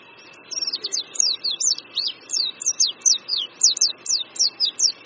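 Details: An Oriental white-eye sings on a branch above a creek at Qingdao University, China, in spring: a clear, regular series of high down-slurred whistled notes, roughly three each second, loud and close.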